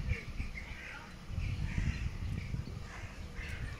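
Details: Gulls on the calm Mur river in Graz, Austria, possibly black-headed gulls, give harsh, drawn-out cries in three bursts over a steady low rumble of rushing water and wind.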